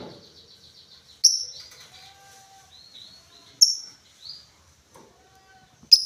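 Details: Lovebird producing scattered high chirps and short whistled slurs, separated by pauses of one to two seconds, in a quiet setting.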